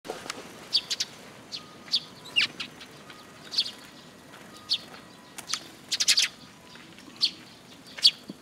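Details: Eurasian tree sparrows gathering at a feeding spot on a post at a Tenmangu shrine, 26 June 2022: short, sharp, high chirps scattered irregularly, sometimes in quick clusters of three or four, over a quiet background.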